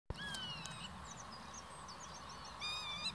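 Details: Common reed warbler singing very close by in reeds beside the Bijleveld, a medieval drainage canal north of Kockengen, Utrecht province: quick high chirps and short whistled slurs in varied succession, with a brief rising burst near the end over low ambient rumble.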